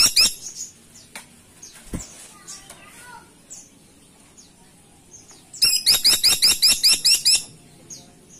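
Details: Caladi tikotok woodpecker in loud, chattering voice; a brief opening burst, scattered faint chirps, then a long rapid series of about ten sharp, buzzy, hooked notes spaced a quarter second apart.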